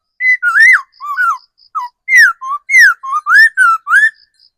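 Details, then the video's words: Laughingthrush kept as a forest-caught decoy bird pouring out a lively run of varied whistles, rising and falling slurs and short upswept notes about every third of a second. "Tiếng chim khứu mồi già rừng"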